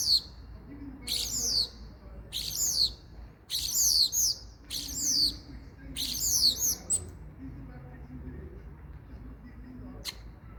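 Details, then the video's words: Common starling calling in six loud, high, scratchy bursts with quick falling notes, about one every second, then falling silent apart from a single sharp click near the end. "Starling Bird Call | Common Starling Bird Sound"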